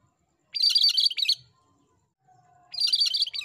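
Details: Energetic cucak kerinci song for training songbirds: a loud, rapid, jumbled high phrase of almost a second, then quiet, then the next phrase starting, against an otherwise near-silent background.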